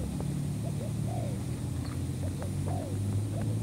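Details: Spotted dove call used as a lure for trapping: short, soft, arched coos, about six within a few seconds, low and partly masked by a loud, steady engine drone.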